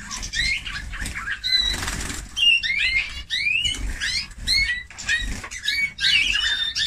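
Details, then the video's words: Eurasian bullfinch in song, a jumble of short rising whistled notes, creaky buzzes and chirps packed closely together, one clearer sustained whistle early on, low hum in the background. "紅腹灰雀/Eurasian Bullfinch(Pyrrhula pyrrhula)singing"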